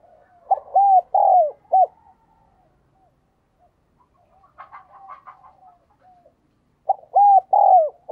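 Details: A decoy spotted dove calling wild doves repeats its four-note coo phrase twice, about six seconds apart. Between the phrases comes a burst of rough, clucking chatter.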